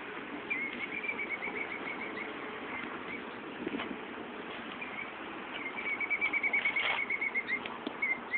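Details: Female bird defending her nest beside an office window whenever people step outside, male nearby pretending to be wounded; two bouts of fast, repeated high piping notes separated by a quieter gap with scattered clicks and background hiss.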